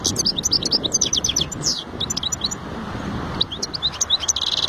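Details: European goldfinch singing in two bursts of quick, high, sparkling twitters and buzzy trills, separated by a pause of about a second and a half, with low background noise throughout.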